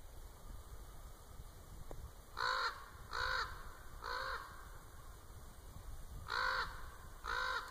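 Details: A common raven at Winlock, Washington, on 10 March 2017, possibly drawn by the recordist's clicking, gives five hoarse, arched croaks, three in quick succession, then two more after a short pause, over faint outdoor background noise, before flying off.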